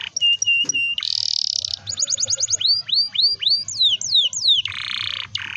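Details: Canary in full long rolling song, used to prompt young canaries that are learning or reluctant to sing; whistled notes, a buzzy trill, then rapid repeated rising and falling sweeps and another harsh buzz, loud and continuous.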